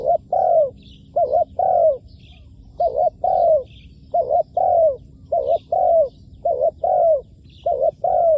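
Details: Spotted dove used as a decoy bird for trapping wild doves on the ground, cooing in a steady series of short, hollow two- and three-note phrases, roughly one phrase a second, over a low constant background hum.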